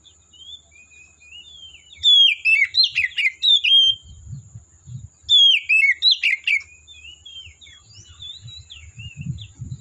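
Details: Oriental magpie-robin singing in forest: two loud bursts of varied whistled, slurred notes, each about a second and a half long, with softer twittering between them and faint low rumble.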